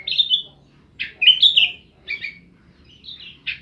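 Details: Sooty-headed bulbul, a kept kutilang in Jember, East Java, Indonesia, singing gacor with full filler phrases: short bright chirped phrases separated by clear half-second pauses, four groups in quick succession.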